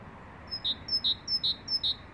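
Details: Great tit (Parus major), song.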